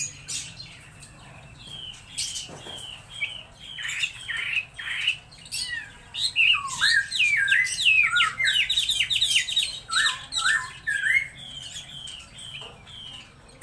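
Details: Laughingthrush singing a long, varied run of loud whistled notes, rising and falling slurs and quick twisting phrases that build in density midway, with brief pauses and sharp clicks between bursts.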